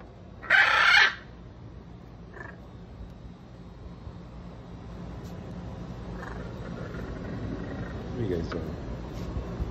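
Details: Three pet hyacinth macaws during their daily time outdoors: a single loud, harsh, raspy squawk lasting about half a second near the start, then only faint scattered sounds over a steady low background rumble.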